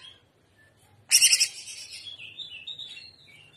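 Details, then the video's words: Cucak ijo, or Greater green leafbird, singing trotolan in gaya udang style: a sudden loud rasping burst that runs into a softer wavering warble of falling and rising whistles. "TROTOLAN CUCAK IJO Paud JAHAT FULL JAMTROK GACOR GAYA UDANG"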